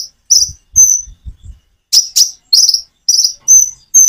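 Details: Common iora song with natural pauses, meant to get birds that seldom sing to answer: clear high whistled notes repeated at uneven intervals, with faint low thumps early on.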